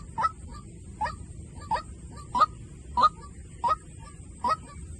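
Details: Seven brief, harsh honks from a white-breasted waterhen decoy call, each with a small rising flick, repeating at a brisk, slightly uneven pace of about one every 0.7 seconds.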